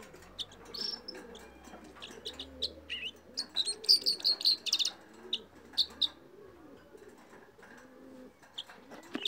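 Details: Red crossbill singing: bright, high chirps and short sharp notes in quick irregular bursts, densest in the middle, over a soft low murmur of background sound.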